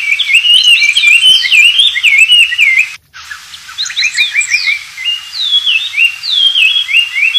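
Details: Energetic wild Oriental magpie-robin song, used for teaching white-rumped shamas: dense twittering whistled notes, a brief break, then a series of downslurred and upswept high whistles in quick succession.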